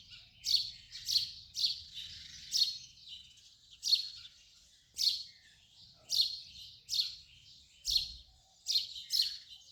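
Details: House sparrow giving a steady series of loud, harsh chirps about every half second to second, clear against a quiet background with a faint low thump.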